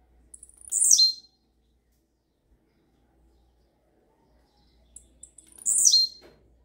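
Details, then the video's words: Blue-black grassquit singing the rare campainha style: two loud, brief buzzy phrases that drop sharply in pitch, spaced about five seconds apart, with a few quiet ticks before the second. "TIZIU CANTO RARO CAMPAINHA"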